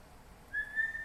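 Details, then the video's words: Whistled note from a MacGregor's bowerbird singing in Papua New Guinea rainforest: a clear, steady, mid-pitched tone that breaks briefly and resumes slightly higher, then dips at the end, about half a second in all, against quiet surroundings. "Macgregor's bowerbird singing in rainforest, Papua New Guinea"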